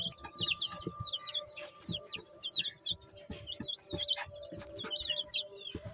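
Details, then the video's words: Peeping of Long Tail Duckwing Silver Phoenix chicks: shrill, downward-sweeping cheeps in quick clusters of two or three, repeated throughout, with soft knocks and a faint steady hum underneath. "Long Tail Duckwing Silver Phoenix Chicks"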